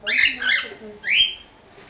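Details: A cockatiel from Dortmund-Huckarde, Germany, gives two loud, harsh, screechy bursts. These are followed by a bright whistled note that rises quickly, then holds and fades away.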